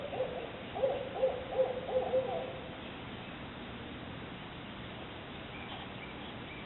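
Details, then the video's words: An owl in a backyard gives a quick run of about six low, mellow hoots over two seconds, then falls silent against a soft background hiss. "Owl hooting"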